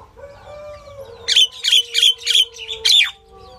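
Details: Female common myna (Indian myna) gives five quick harsh, rasping squawks after a second of quiet with a faint steady hum; the last note is a longer, downslurred screech.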